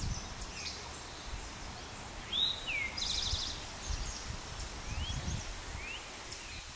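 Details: Male Eastern towhee at Pleasant Valley Wildlife Sanctuary, Lenox, Massachusetts, 26 June 2024. He gives a single song of two clear slurred notes followed by a fast trill. Other birds make brief upslurred chirps, with low rumbling background noise.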